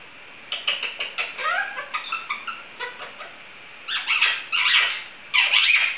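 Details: Pet Indian ringneck parakeet barking like a dog: a run of short clipped yelps with rising slurs, then three louder rough bark bursts.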